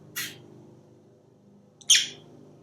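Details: A pet African grey parrot, hatched in 1997 and living in Texas, gives two short, smacking kiss sounds about a second and a half apart while chattering before dinner, in an otherwise quiet room with a low hum.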